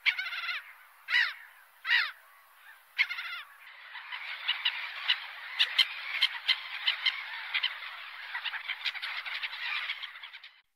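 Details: Seagulls calling: a few separate harsh, harmonic squawks, then a dense continuous chorus of overlapping gull cries from many birds.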